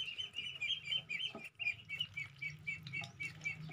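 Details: Pet crested myna being tamed, chirping rapidly and rhythmically at about four notes a second, each note short and high, over a constant low mechanical hum and a soft click partway through.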